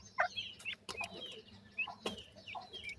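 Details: Grey francolin chicks give thin, high peeps and short chirps, several overlapping in quick succession, with sharp clicks and knocks in between.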